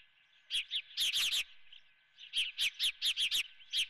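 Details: At the Dunrovin osprey nest with a live golden fish for breakfast, an osprey gives a quick burst of chirps, pauses, then a steady run of about eight evenly spaced sharp notes.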